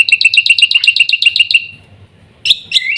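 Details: Black-winged myna with a quick series of scratchy repeated notes for about 1.5 seconds, a brief pause, then loud harsh chatter resuming.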